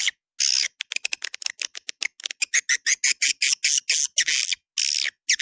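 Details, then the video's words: Swiftlet calling sound of the "Dua Bidadari" type meant to draw swiftlets in: quick uneven clicks and short chirps at first, then longer harsh buzzing chirps repeated roughly twice a second. "SUARA PANGGIL WALET DUA BIDADARI RESPON TERBAIK DI AREA CENTRAL WALET"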